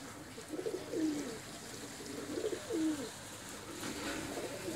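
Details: Pigeons kept at home as a hobby in India give low, throaty coos in two bursts with swooping pitch. A quieter pause falls between them, and a faint room hum runs underneath.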